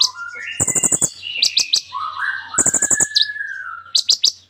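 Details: Sunbird in full, varied song packed with imitated phrases, used as a lure for non-singing birds. Bursts of dry rapid ticks alternate with high sharp chirps and wavering mid-pitched whistles.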